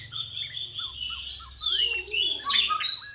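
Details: A young white-rumped shama, trained strictly, sings long sustained whistles and short dropping notes, then a loud cascade of bright high trills near the end, above a low steady hum.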